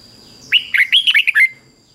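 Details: Red-whiskered bulbul song played daily for young birds to copy: one quick, bubbly phrase of about seven liquid, warbled notes lasting about a second, over a faint steady high whine.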